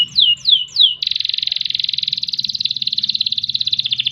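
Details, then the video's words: Canary singing a long, varied song: three falling slurred whistles, then a rapid buzzy trill held steadily for three seconds. "Kenari Gacor Panjang Ngerek Ngerol Nembak"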